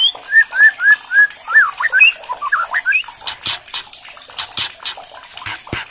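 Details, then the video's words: White-rumped shama, agitated and provoked to sing by a challenge recording, unloading its repertoire with hard crackling notes: a run of clear whistled phrases, slurred up and down, then loud sharp clicks and crackles filling the second half. "PANCINGAN PASTOL EMOSI - DENGAN CEPAT MURAI BATU GACOR, EMOSI BONGKAR ISIAN - KRETEKAN MURAI KERAS"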